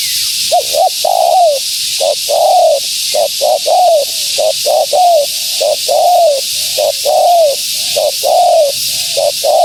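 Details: Spotted dove, a female, calling to attract wild doves; short paired rising coos alternate with longer falling coos in a steady repeated phrase, roughly fifty notes a minute, against constant background hiss.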